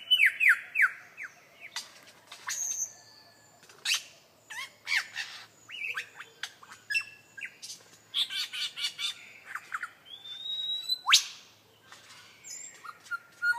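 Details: Lyrebird in a beatbox-like mimicry performance: a rapid jumble of sharp clicks, snapping notes, descending whistles and squawky bursts, delivered in uneven clusters with brief pauses throughout.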